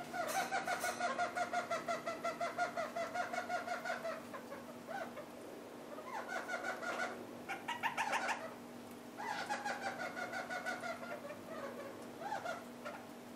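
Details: Pair of red-crowned parakeets feeding on half-ripe willow seeds; nasal, harmonic chattering notes in quick bursts, roughly three per second, pausing between runs, over a steady low hum.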